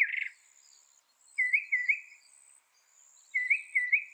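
A Northern Mockingbird sings a brief burst, then two bouts of three quick, warbled mid-pitched notes, over a faint high insect hum.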